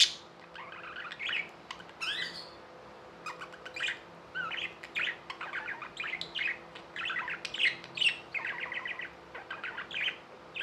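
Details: Pet budgerigars chirping: a busy run of short warbled and buzzy notes around the mid-high range, broken by sharp clicks, with a faint steady hum in the background.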